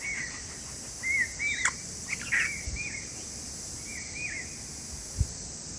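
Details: Bulbul father giving alarm calls to warn of a predator and protect his chicks; short, sharp chirping notes in quick bursts, some slurred and bubbling, over a steady high insect hiss.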